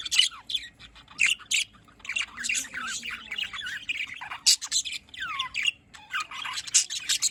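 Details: Morning budgerigar flock, 5 November 2023, Larkana, Sindh: scratchy chirps, falling whistled slurs and squawks in uneven bursts separated by short pauses.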